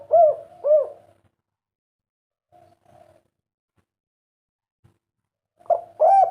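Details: Derkuku, the spotted dove, in kuk 3 call style: two rounded coos, a long quiet stretch with faint short notes, then loud coos resume near the end; steady low hum.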